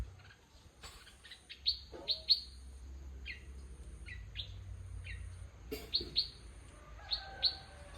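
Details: Bulbul calling with crisp, high chirps in small clusters, several sharp notes near the middle and end, against a faint low rumble.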